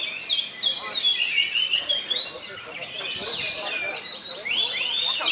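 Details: Orange-headed thrush singing at a bird contest in Karawang, Indonesia: continuous rapid warbling of varied high whistled slurs and trills, dense and unbroken throughout.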